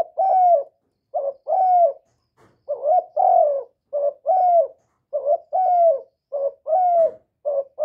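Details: Spotted dove cooing to attract wild doves, no background noise: brisk series of about seven couplets, short note plus long gently falling coo, repeated in quick succession.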